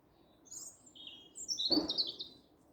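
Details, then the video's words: Birdsong on a spring morning with much bird activity: a few thin, high chirps and short twittering phrases, one brief dull knock midway, over a soft background hiss. "Beautiful birdsong heralding Spring"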